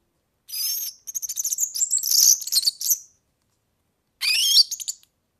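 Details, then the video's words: A European serin delivers a thin, high, rapidly repeated jingle with buzzy slurred notes for about two and a half seconds, then a brief rising squeaky phrase; a recording for tutoring young birds. "ΦΩΝΕΣ ΑΠΟ ΟΡΓΑΝΕΛΙ EYROPEAN SERIN"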